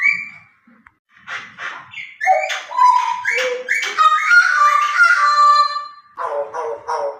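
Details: Shrike giving a varied run of nasal, harmonic-rich notes and short level whistles, strung together almost continuously for several seconds, with a scratchier chattering phrase at the end.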